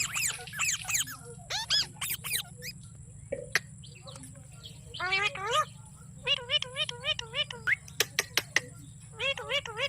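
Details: Green parrot making varied high chirps, then a run of clear, evenly spaced whistled notes with wavering pitch, each repeated several times, over a low steady hum.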